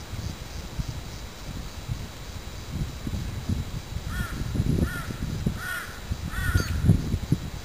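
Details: A Magpie-lark (peewee) near a nest where the young appear to have hatched, 14 November 2010, gives a quick run of four or five short, ringing notes near the end, over steady low wind rumble.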